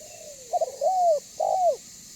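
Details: Spotted dove, a trained caller used as a lure, giving short coos followed by a long downslurred note, then another rising-falling coo with a falling tail; steady high background hiss.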